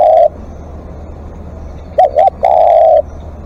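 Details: Spotted dove calling as a live decoy: a coo tails off, a pause, then two short hooting notes and a long level coo, mellow and low-pitched.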